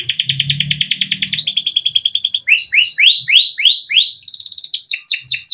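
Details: Young captive canary singing long and vigorously in chirps and rolls, kept as a master song to prompt young canaries: buzzy repeated notes slide into a run of rising whistled sweeps, then fast trills, with faint low rumble early on.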